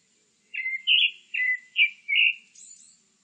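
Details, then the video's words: Grey-backed thrush delivering five rich, slurred whistled notes alternating slightly in pitch, followed by a soft, very high thin warble. "되지빠귀, 여러번 듣기, 곤충소리, 새소리"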